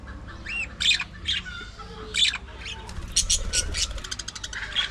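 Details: Colony of aviary budgerigars calling with coarse squawks and chirps, ending in a rapid run of clicking, chattering notes, over soft low background noise.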